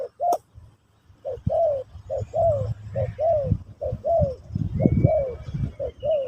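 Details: Spotted dove in a Pesom/Kacuk teaching session for a new bird, repeating paired coos, a brief note then a falling drawn one, roughly once a second, over low thumping background noise and a faint whistle.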